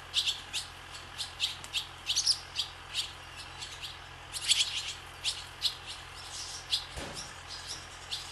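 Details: Barn swallows flying above a swallow farm keep up a lively stream of sharp, high chirping twitters, several each second in quick clusters, with a brief low thump near the end and a faint steady hum.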